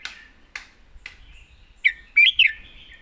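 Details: Three sharp clicks open the take, then a red-whiskered bulbul delivers its "master song": a short, sweet burst of rapid warbling whistles with a lingering tail.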